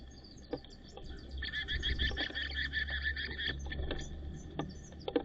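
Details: White-crowned sparrows chirping while settling a pecking order over who feeds first; scattered sharp chirps, then a buzzy stuttering trill lasting about two seconds, then more quick chirps over a low background rumble.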